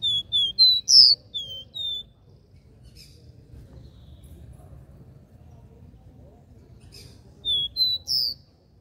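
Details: Capped seedeater giving the regional "dó ré mi" three-note song. A quick series of pure whistled notes and a buzzy note opens the clip. A long quiet gap follows, and then a second similar phrase.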